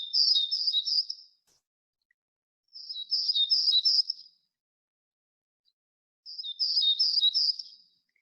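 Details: Townsend's warbler singing in spring on Protection Island, a bird of mature conifer treetops: three high, buzzy, wheezy phrases about every three seconds, each a quick series of very high notes; background otherwise quiet.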